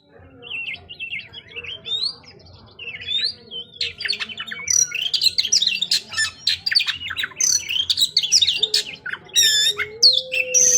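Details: White-rumped shama, kept as a caged songbird: a long, varied, rich song of fast chattering notes, sweeping whistles and harsh squawks, growing louder and denser, over a steady low electrical hum.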